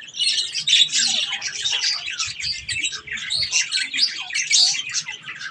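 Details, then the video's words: Budgies eating strawberries keep up steady scratchy chatter, a quick jumble of squeaky chirps and squawks from several birds, continuous for five seconds. "Budgies Sounds while eating Strawberries"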